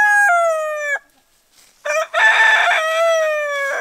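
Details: Rooster crowing to wake people up. One crow ends on a long, falling, held note, then comes a short pause before a second full crow begins with choppy bursts and stretches into a long drawn-out tone.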